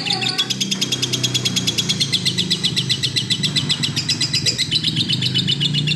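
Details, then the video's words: Lovebird singing actively (gacor) with a long, fast run of sharp, high chirps. The chirps repeat about every half second with little pause, and steady low tones run underneath throughout. "burung love bird gacor"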